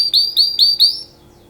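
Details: Brief canary mating song phrase: four loud, clear rising whistled notes in quick succession, then silence.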